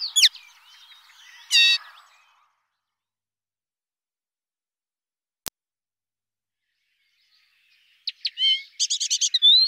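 A common linnet gives short bursts of quick, twittering song, with high buzzy trills and chirps, split by a long silent pause and a single click.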